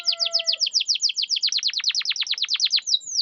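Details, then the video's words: Canary song played to make mute, lazy canaries sing back: a long steady series of rapid, sharply descending whistled notes repeated several times a second, ending in softer high slurs. "Pancingan kenari macet malas bunyi bisu pasti langsung nyaut"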